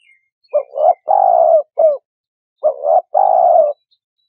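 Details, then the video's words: Spotted dove call used as a lure for bird trapping: two soft, low cooing phrases about two seconds apart, each with short notes leading into a longer sustained coo, in clean silence. "Tiếng Chim Cu Gáy"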